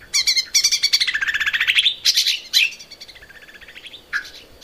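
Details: Lesser green leafbird in a cage, singing loudly for use in training other birds: rapid rattling chatter gliding downward, sharp accented notes, then a softer trill and a final low whistle.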